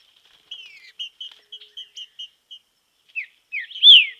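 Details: Green-winged saltator in nature, in training, delivers a quick string of short even whistled notes, then two sweeping downslurred whistles ending in a loud ringing phrase.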